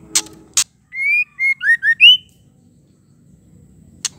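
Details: Female white-rumped shama call for stirring males into song. Two hard clicks, then a clear whistled run: a long rising note, a short level note, two quick descending slurs and an upward whistle. A single click closes the clip.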